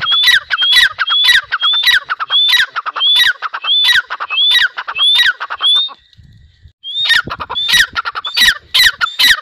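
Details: A long series of harsh, chattering grey francolin phrases, each with a bright rising whistle, delivered evenly for six seconds, a brief lull, then the calling resumes just as loudly.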